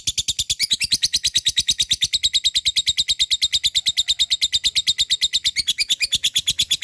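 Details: Lovebird chattering in a long ngekek, meant to provoke lazy birds into singing: a fast, unbroken, machine-like run of harsh high notes that stays steady for almost seven seconds.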